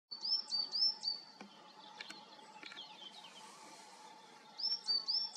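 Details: A coal tit in Serra da Groba, Galicia, gives its high, thin two-note tit-tuii call, three in quick succession, then a pause and three more; a faint hiss and low steady hum lie beneath.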